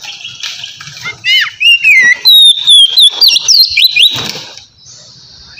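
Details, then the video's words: Relaxed ngeplong singing by a white-rumped shama, used to lure untamed birds: a fast series of bright, sliding whistles and clipped chips lasting about three seconds, followed by soft background hiss. "suara kacer ngeplong santai sangat cocok buat mancing kacer bahan"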